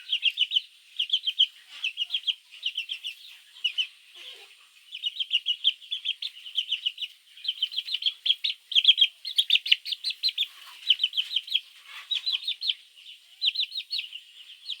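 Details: Baby chickens chirping for their mother in the morning, recorded to lure mongooses: nearly continuous high peeps in tight bursts of several notes, more than one chick calling at once, lasting about fifteen seconds.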